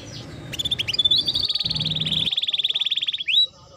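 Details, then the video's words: Timbrado canary singing: a rapid, even trill of clicking notes held at one pitch for about two seconds, preceded by a few sharp chips and ending in a quick upward sweep, over a low background hum. "Canary Bird Singing Timbrado canary singing beautiful melody"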